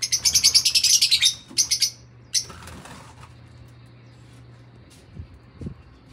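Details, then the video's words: Fischer's lovebird singing: a fast burst of shrill, high chattering notes for over a second, two short squeaky notes after, then quiet with a soft rustle and a low hum. "Fischer lovebirds/ Singing"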